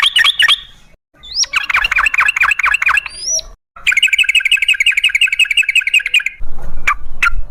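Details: Sooty-headed bulbul in the lively, long-rolling song style called trucukan gacor ropel, used as a lure to prompt other bulbuls to sing. It gives loud chattering phrases, then a rapid run of repeated bubbling notes, and two sharp upslurred whistles.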